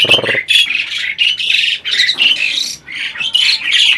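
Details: Breeding adult Asian pied starling reportedly mimicking talk: a low buzzy note, then a loud, unbroken chain of shrill, grating squawks and chatters lasting several seconds with only brief dips.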